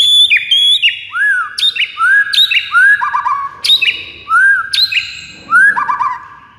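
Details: White-rumped shama song for triggering rival birds into singing: fast, varied phrase of loud slurred whistles repeated roughly every half second, mixed with piercing high notes and short warbles.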